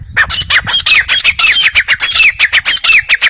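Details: Grey francolin calling in a fast, loud series of harsh, piercing notes, about six a second, many carrying a bent, whistled upper tone. The run is unbroken for over three seconds, with a faint low rumble underneath.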